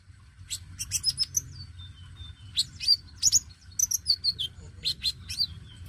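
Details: Oriental magpie-robin, dacok type, singing steadily to coax newly caught birds into song. Rapid series of sharp chirps and clear whistles, with several long falling whistled glides between bursts, all over a soft low hum.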